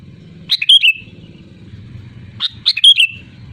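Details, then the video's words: Sooty-headed bulbul calling to rivals: two loud chirping phrases two seconds apart, each a quick run of bright notes ending in a trill, over a low hum. "SUARA ASLI BURUNG KUTILANG GACOR LANTANG MEMANGGIL LAWAN AMPUH UNTUK PANCINGAN AGAR BUNYI SEKETIKA"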